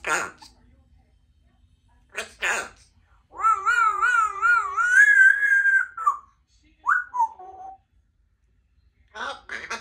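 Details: Two-year-old female Congo African grey parrot kept as a pet in a country home shared with other parrots and cats, producing a long wavering, warbling cry that rises overall, between short sharp clicks and brief chirps.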